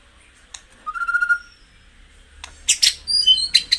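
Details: White-rumped shama singing, a recording used to excite caged birds into peak form: a short whistled note, then a pause before a burst of sharp, varied chips and high whistles.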